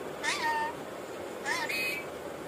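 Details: Rainbow lorikeet talking: two short, nasal, voice-like phrases, each with a quick rising-then-falling inflection followed by a level tone, about a second apart, over quiet room hiss.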